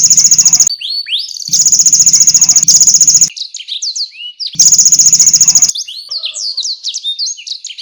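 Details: Energetic canary singing as tutor material for champion songbirds, with konin and blackthroat phrases. Long rattling buzzy trills alternate with bursts of sharp whistled, downslurred notes repeated several times a second.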